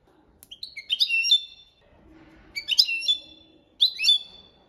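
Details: Goldfinch performing copia malaga training song, three bright twittering phrases with ringing liquid trills, about a second apart, with a soft low murmur in a gap.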